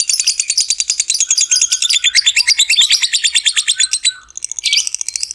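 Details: Long 'ngekek' trill of a lovebird, used to stimulate other lovebirds: quick rattling chatter of harsh pulsed notes, pitch wavering up and down, ending in a couple of sharp squeaks.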